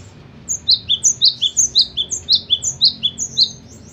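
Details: Cinereous tit kept as a pet, singing: a rapid series of high, sharp two-note whistled phrases, bright upper note dropping to a lower one, repeated about twice a second, with a quiet low hum underneath.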